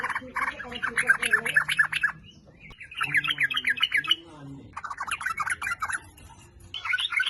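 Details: Sooty-headed bulbul song played to make bulbuls sing: three loud bursts of rich, bubbly chattering separated by short gaps, with a faint low hum in the middle burst.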